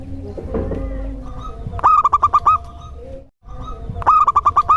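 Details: Zebra dove of a local strain singing to set off other doves: two rapid strings of staccato cooing pulses, six to eight notes each, less than two seconds apart, after a stretch of muffled background noise.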